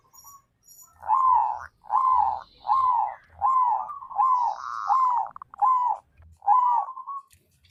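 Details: White zebra dove singing to encourage other zebra doves to sing: about eight rounded, arching coo notes in a steady row, roughly one every seven tenths of a second, with soft low knocks beneath.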